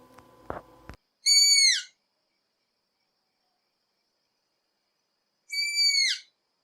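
Striped Owl giving two high, drawn-out whistles that slur downward at the end, about four seconds apart. A brief click and rustle come first.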